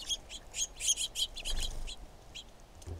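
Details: Female red-shafted Northern Flicker calling with a fast run of bright, high, clipped notes, closely spaced at first and then spreading out, with a low rumble in the background.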